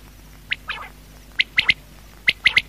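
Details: Night call of a quail, locally batair: a single note and a brief slurred sound, then two crisp triple-note bursts in quick succession, high and clipped.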